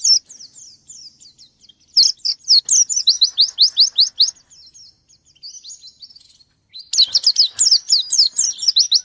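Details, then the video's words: Caged white-eye singing loudly as if challenging a rival: bursts of rapid, high, sharply rising chirps repeated in fast series, separated by softer thin twittering and brief pauses. "Burung pleci gacor nyari lawan"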